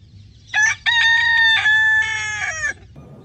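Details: Rooster crowing: one loud harmonic cock-a-doodle-doo, a short opening note, then a long level tone that steps into a drawn-out, slightly falling ending, over low background rumble.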